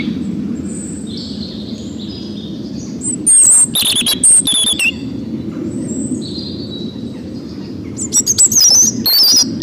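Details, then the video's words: Robin sings thin, high, warbling phrases in short bursts over a steady low rumble, broken by loud gusts of wind or handling noise. "Robin Singing"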